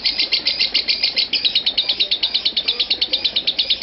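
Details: A lovebird in a nonstop chattering run lasting 5 minutes 25 seconds gives an unbroken, shrill, high trill, about seven rapid notes each second, with a slight faint background hum.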